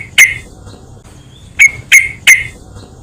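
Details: Yellow-vented bulbul lure recording meant to set other bulbuls calling: one sharp, bright chirp, a pause, then three quick clipped chirps in succession over a quiet background.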